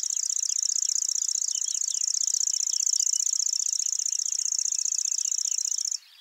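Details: Lanceolated warbler singing at Wakka Primeval Flower Garden, Hokkaido, Japan, a somewhat longer song than usual: a continuous, very high, rapid insect-like reeling trill held for about six seconds, then stopping abruptly, with faint other bird notes beneath.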